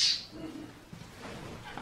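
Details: A pet Senegal parrot playing fetch, repeatedly throwing a toy, gives one short, shrill, high squawk at the start; a person talks quietly after it, and a brief sharp sound comes at the end.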